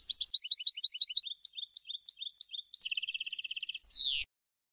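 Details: Tunisian European goldfinch from Sfax singing a tutoring song: a fast run of liquid twittered notes, then a dry buzzy trill, ending in a brief harsh descending rasp.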